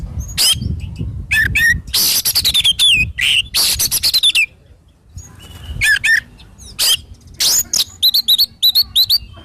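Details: Oriental magpie-robin singing hard, used for birdkeeper training and therapy: rapid harsh rasping bursts and crisp whistled slurs, a brief lull mid-phrase, then a quick run of repeated short whistles at the end.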